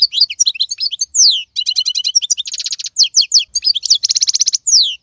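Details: European goldfinch, wild-caught type celebrated as the strongest of 2022, delivering quick tinkling chirps and swooping slurs alternating with two thick buzzy rattles, the song nearly unbroken over five seconds.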